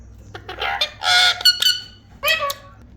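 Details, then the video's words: Parrot producing harsh, grating squawks in two bursts, the second ending in a lower nasal note. "parrot sound is beautiful"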